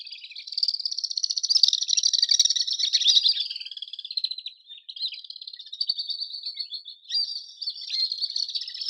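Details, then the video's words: Swifts give shrill, high-pitched screaming trills, rapid and buzzy, running almost continuously in overlapping bursts. "SWIFT SOUND - SWIFT SOUND EFFECT - SOUND OF SWIFT - NOISE OF SWIFT"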